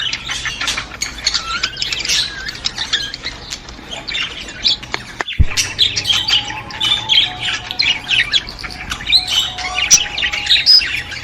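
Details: Budgerigars chattering to stimulate budgies: a soft busy warble of squeaks and squawks, broken by a sharp click midway, then livelier with thin whistled notes and a steady tone.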